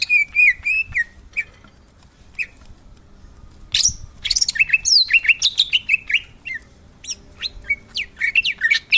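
A greater green leafbird sings a rapid, varied medley of bright whistles, chirps and slurred notes, high-pitched and delivered in quick bursts with short pauses.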